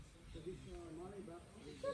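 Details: A talking myna at the wildlife sanctuary on Calauit Island, Palawan, Philippines, imitates human speech in short, hoarse, low voice-like phrases, apparently echoing "Anong pangalan mo?" (what's your name), with human voices nearby.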